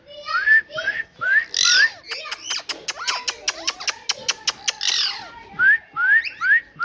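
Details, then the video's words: A pet parrot whistles short upward-sliding notes in a quick series, then a stretch of rapid even clicking, then more rising whistles at the end. "Parrot Talking"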